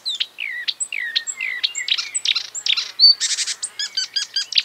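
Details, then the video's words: Marsh warbler imitating other birds in its song: high whistled slurs and short sweeping notes, then dense buzzy bursts and a run of repeated sharp chirps. "A marsh warbler (Acrocephalus palustris) imitating other birds"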